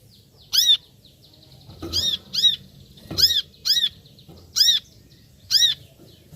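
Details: Brown-throated sunbird repeating strident, high arched call notes singly and in pairs, roughly one burst per second after a brief opening gap, with quiet thin twittering and light low knocks behind.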